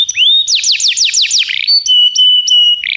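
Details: Canary song for training: a rising whistle, then six loud descending sweeps in quick succession, a brief buzzy note, and several flat, ringing whistles.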